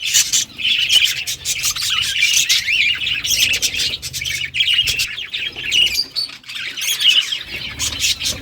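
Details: Colony of breeding budgerigars kept in a cage: continuous busy chatter of high chirps and squeaky warbles from several birds, with occasional clicks and a faint low hum.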